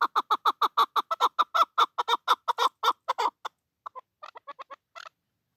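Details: A chukar partridge, in a recording offered as a call for hunting, gives a fast series of harsh clucking chuk notes, about three per second, which slows and grows fainter and more broken toward the end.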